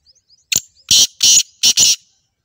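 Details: Black partridge giving a loud harsh call: a short rasping note followed by three longer grating, scratchy bursts, the last one split in two, all within about a second and a half, with faint thin chirps before it.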